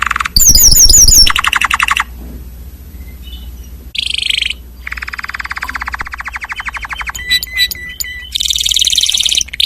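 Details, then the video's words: Java sparrow singing a varied, loud song: a burst of high buzzy chatter, then long rolling trills of fast repeated notes, brief pauses, and sharp high ticking phrases ending in a bright buzzy trill. "Suara Burung Gelatik Timbrado"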